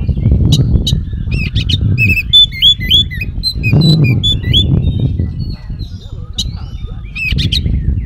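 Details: Oriental magpie-robin singing a varied, mimicry-rich song used to provoke responses from other magpie-robins; quick sequences of looping whistled notes and crisp chips alternate with pauses, over a low rumbling hum.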